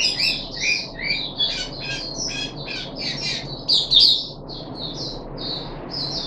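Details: Captive puff-backed bulbul on its third day of a deworming treatment, 14 July 2021: a quick run of harsh, squawky chirps and slurred notes, bunched in short bursts and then easing into evenly spaced upslurred notes, over a steady low background hum.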